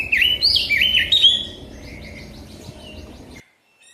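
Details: Oriental magpie-robin (kacer) song used for training kept birds: loud, wavering whistled notes for about a second and a half, then softer rapid twittering that fades out before a cut to silence.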